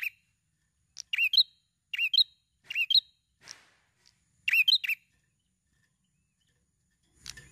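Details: Persistent, tightly packed prinia song meant to coax other birds into singing: clusters of sharp high chirps given in quick succession, a faint raspy note mid-way, then silence before a brief closing scratch.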